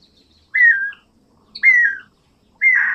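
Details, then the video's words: Guira cuckoo (Guira guira) singing: three loud descending whistles, each sliding downward and repeated about once a second, over a faint low background hum. "Anu branco,Guira guira, cantando -canto do anu branco"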